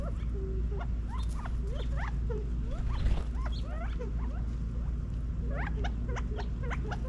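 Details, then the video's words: California quail foraging in a backyard in Las Vegas, Nevada, autumn 2022, uttering soft low clucks and rising chirps in loose clusters, with a steady low hum throughout. "California Quail Feeding in Las Vegas NEVADA FALL 2022 quail sounds"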